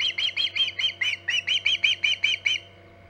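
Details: Rapid run of about thirteen high, ringing chirps from an osprey on its Hog Island nest, 14 August 2019 around 11:45 am EDT, stopping abruptly before the end; faint steady hum continues.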